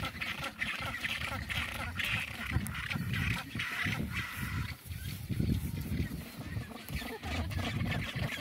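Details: Harsh, braying honks from a vagrant northern rockhopper penguin on the Falklands over a steady rumble of colony noise, with human voices mixed in.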